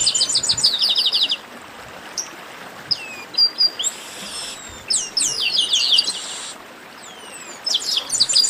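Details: Chestnut-capped blackbird baderna: an opening burst of dense, rattling high notes, scattered single whistles, a harsh buzzy note, then more rapid trills and thin, sliding calls.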